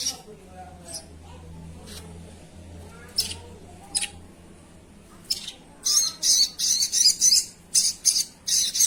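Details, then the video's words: Actively singing sogon: scattered sharp high notes at first, then a fast, dense series of raspy, hissing high bursts repeated about three times per second. "suara burung sogon"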